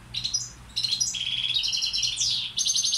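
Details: Male European goldfinch, balcanica subspecies and a tutor bird, sings short bursts of bright twittering and buzzy trills, with a rising-then-falling slurred note near the end.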